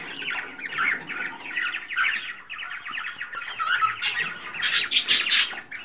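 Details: Mating-stimulation calls of a cockatiel: a continuous run of scratchy chirps and squawks, growing louder and harsher toward the end, heard in a small room.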